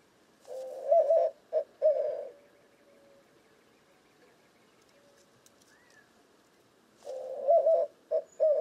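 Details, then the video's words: White-winged dove cooing: two phrases about six seconds apart, each a hoarse, hooting coo with a wavering middle followed by shorter clipped coos, in an otherwise quiet setting. "White-winged Dove Cooing Bird Sound"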